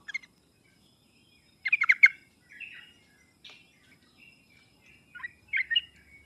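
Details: Sooty-headed bulbul song used as a lure for a quiet, reluctant singer; soft, scattered bubbly whistled phrases with gaps, a brief cluster of louder notes in the middle.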